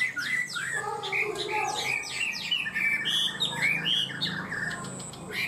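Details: Caged Chinese hwamei in quick, steady high-pitched 'cao cầu' singing: rapid downslurred whistles and clear rounded notes repeated about three times a second, with some faint lower chattering beneath.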